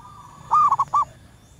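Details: Wild female zebra dove call, used as a lure because it draws in males: one loud phrase with a rising opening coo followed by three short clipped notes, a fainter dove audible just before.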